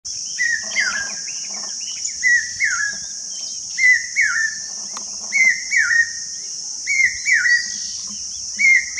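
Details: Common hawk-cuckoo at Bharatpur Bird Sanctuary (Keoladeo National Park), India, giving shrill, whistled notes in quick pairs, repeated about every one and a half seconds, over a steady high insect drone.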